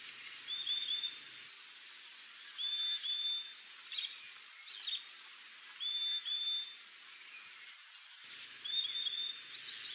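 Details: Wild saffron finch (Sicalis flaveola) at a stream, giving brief, high whistled phrases every two to three seconds over a steady, shrill insect drone, with faint chirps from other birds.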